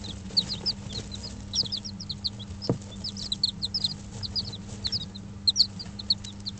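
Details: Five-day-old Dutch bantam and Barbu d'Anvers chicks in a warmed brooder chirp continuously, a busy chorus of thin high cheeps in quick bursts, with a constant low electrical hum beneath.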